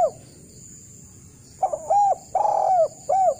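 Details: Mellow spotted dove phrase in kuk 1 style for training lazy doves to sing. A fading tail note, a pause, then a stuttered start, a long level coo and a falling final coo.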